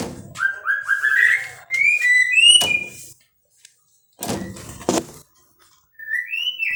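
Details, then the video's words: Captive-bred white-rumped shama singing: a run of clear whistled notes stepping upward in pitch, then higher slurred whistles, a pause broken by loud knocking or clattering thuds, and a final rising whistled phrase. "muray batu suara mantap"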